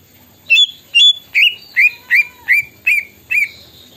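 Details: Orange-spotted bulbul in Indonesia singing an imitation of the plaintive cuckoo: a series of eight sharp, descending whistled notes spaced about every half second, clear and loud against a quiet background.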